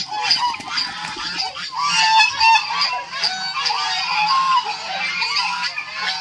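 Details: Continuous dense honking from a group of white geese on a poultry farm with fighting chickens, many nasal calls overlapping into a steady loud chorus.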